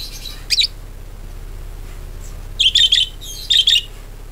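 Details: Budgerigar calls used as a lure to set other budgerigars singing: one sharp chirp, a pause of nearly two seconds, then two quick bursts of doubled high chirps, with faint hum behind.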